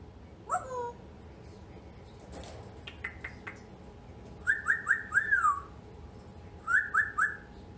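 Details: Pet female African grey parrot indoors on New Year's Eve, resisting bedtime: a falling harmonic note, then clusters of rapid, bright, rising-falling whistles in bursts of three to four, with brief chattering clicks between, in a quiet room.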